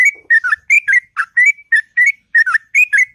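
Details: Sooty-headed bulbul in the morning, singing a long, melodious ngropel: loud, clear whistled notes rapidly strung together, each bending down then up, about four per second.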